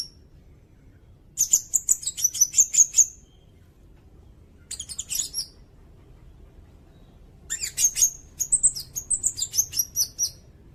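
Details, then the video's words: Sirindet song used as a tutor recording for songbirds and as a trapping lure: three bursts of rapid, high, thin chirps and twittering notes, separated by short pauses, over a quiet background. "Suara burung sirindet buat masteran bagus juga buat pikat"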